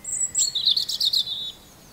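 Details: A bright robin phrase: a piercing high whistle dropping into a fast, sparkling, trilled flourish that stops suddenly.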